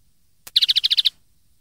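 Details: Common linnet phrase from a 2013 tutor recording for teaching young birds: a sharp click followed by a quick even trill of about nine bright notes lasting half a second.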